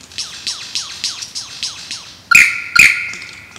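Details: Male lyrebird in Australia, singing during a mating dance: a steady series of quick downslurred whistled notes, about two each second, then two loud sharp cracks carrying ringing tones.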